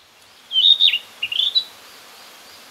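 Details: Narcissus flycatcher singing among fresh green leaves on a nature walk in northern Harima, central Hyogo, Japan: two short bright whistled phrases, the first with a dipping slur, the second a quick stuttered run, in quiet surroundings.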